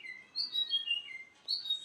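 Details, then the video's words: Russian canary giving soft, varied whistled phrases that glide down in pitch, with brief pauses between phrases and faint room noise beneath. "russian canary"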